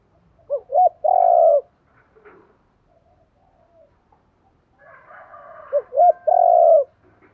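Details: Repeated spotted dove coo phrases for rousing decoy doves: two short arched notes and a long coo, then a quiet pause. The same phrase returns about five seconds later, with faint extra calls.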